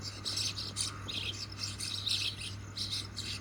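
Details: A flock of common mynas chirrups and chatters in overlapping, harsh, squeaky bursts while catching grasshoppers, with a steady low hum underneath.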